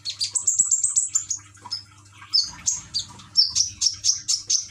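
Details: Common iora kept as a songbird in Gresik, East Java, recorded on an Android phone during trickling-water therapy meant to prompt singing: a rapid run of high thin chirps, a pause, then sharp bright notes repeated about three per second over a low steady hum.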